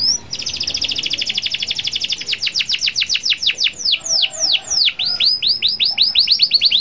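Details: Local canary singing, meant to stir other canaries into song: a fast, even trill of short notes, then slower, sweeping downslurred whistles repeated about three to four per second.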